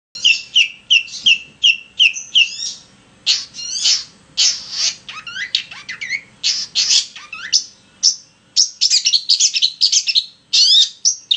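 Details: Long-tailed shrike song used as a lure recording to provoke other shrikes to sing: rapid harsh chattering and squawky notes, mixed with mimicked chirps and short whistled phrases, delivered in dense bursts.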